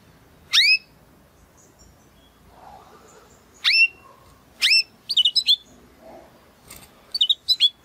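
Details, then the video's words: Belgian canary singing: sharp, bright chirps and short whistled notes, dropping steeply in pitch, given singly and in quick clusters of two to four, separated by pauses of about one second over quiet background. "CANÁRIO BELGA CANTANDO ESTRALANDO !"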